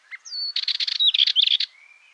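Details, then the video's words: Dartford warbler singing a brief, hurried phrase: a thin whistled opening note followed by a rattling run of harsh, buzzy chatter and twisting whistles, about one and a half seconds long, then a faint trailing whistle. "Curruca rabilarga (Curruca undata) Canto"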